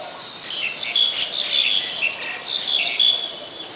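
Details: Adult Common Tailorbird, a common resident, recorded in Ubon Ratchathani, Thailand, on 8 February 2021: two bursts of loud, high, sharp repeated notes, with faint chatter from other birds behind.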